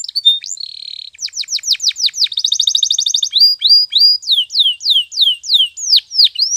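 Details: Spanish Timbrado canary singing a training song: a brief buzzy note, then quick descending sweeps, a dense rapid trill, and a run of loud clear falling whistles repeated about three times a second.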